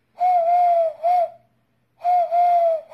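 A Eurasian collared dove gives soft, hollow cooing: a long steady coo, then a short one, and after a pause the long coo starts again. No other sounds intrude.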